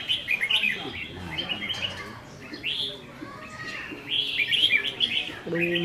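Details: Red-whiskered bulbuls kept in cages, practising a singing contest on 15 May 2021: quick rolling whistled phrases from several birds, with a man talking low in the background.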